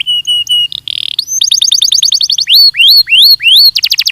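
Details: Belgian canary training song: steady flat whistled notes, a short buzz, then a quick run of chip notes, several loud rising whistled swoops and a closing rapid trill.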